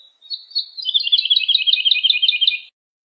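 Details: Lark song played to teach young birds: a thin opening whistle, then a continuous rapid warbling trill that wavers between two close pitches for nearly two seconds before cutting off.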